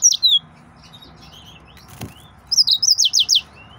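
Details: Excited male yellow-fronted canary giving a short high chirped phrase, then near silence broken by one soft tap, then a fast rhythmic burst of seven or eight bright descending notes.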